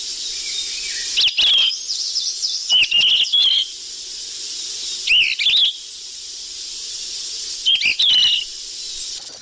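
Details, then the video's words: Lure call of a sikatan emas flycatcher: four clusters of quick, bright twittering notes with upward-bending chirps, separated by pauses of one to two seconds, over a constant high-pitched hiss. "Suara pikat burung sikatan emas ribut"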